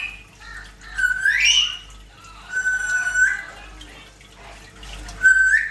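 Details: African grey parrot whistling indoors: three tonal, harmonic whistles, one sweeping upward, one held level, one short and rising, with a steady background noise like running water.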